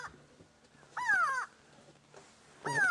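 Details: A grey go-away-bird screaming overhead on an afternoon safari drive, 27 June 2016, seemingly upset: two harsh, nasal, downslurred screams about a second and a half apart, like a drawn-out 'go-away'.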